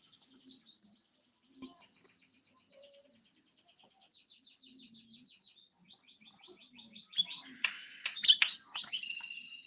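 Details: A one-year-old bar-winged prinia sings a long run of quick, high ticking notes. The run starts soft and builds faster and louder, ending in a burst of sharp, bright chirps.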